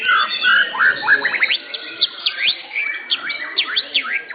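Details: Caged blorok white-rumped shama (murai batu) singing in a bird-song contest at an Indonesian contest arena: loud varied whistles, then a fast run of sharp rising-and-falling slurred notes, over busy chatter from other contest birds.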